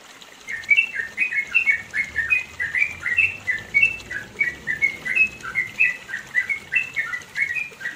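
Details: Long 'ropel panjang' song of a Yellow-vented bulbul from the East Java mountains, Indonesia: a sustained stream of short, liquid whistled notes in rapid choppy phrases, going on without pause for several seconds, with low background hiss.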